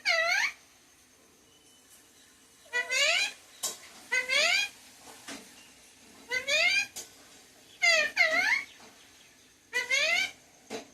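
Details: Talking parrot indoors uttering about six short speech-like phrases, each a squawky, rising-then-falling harmonic burst under a second long, separated by quiet pauses in a small room.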